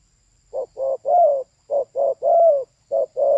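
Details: Female spotted dove cooing in a repeated rhythm. Two short hollow notes lead into a longer, louder coo that dips at the end, and the pattern runs through about three times.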